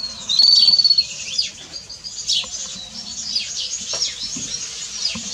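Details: House sparrow chirps heard as quick, high, downslurred notes repeated rapidly. An early steady whistled tone stands out, then irregular chirping continues over a low background hum.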